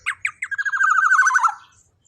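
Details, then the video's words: Loud, vigorous black-naped oriole, recorded as a tutor voice for cage birds: three clipped upward notes, then a long grating series of rapid buzzy pulses easing gradually lower before fading out. "Suara Burung KEPODANG EMAS Gacor LANTANG super KERAS"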